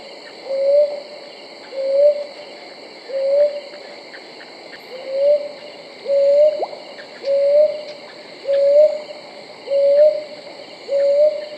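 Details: Brown hawk owl calling: a steady series of ten soft, mellow hoots, each sliding slightly upward, spaced about every 1.2 seconds, over a constant high-pitched chorus of crickets.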